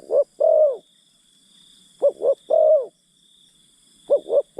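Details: Spotted dove used as a decoy to lure forest birds gives throaty coos, each a pair of quick notes followed by a drawn-out falling note, about every two seconds, with insects droning high in the background.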